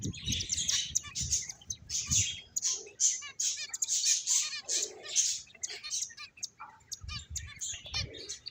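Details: Finches chattering in a group: rapid high chirps and twittering notes overlap continuously, with occasional soft low bumps and rustling beneath.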